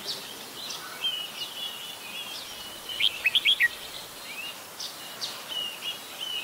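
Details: Red-whiskered bulbul, adult, at Ubon Ratchathani, Thailand, 16 December 2020; scattered slurred whistles, then a burst of four loud bubbly notes in quick succession, followed by more downward-sliding chirps against soft hiss.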